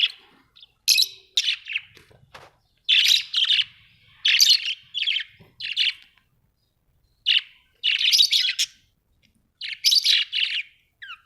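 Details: Pet budgerigars at home, giving a steady run of short harsh chirp bursts and buzzy chatter, each lasting under a second, separated by short gaps.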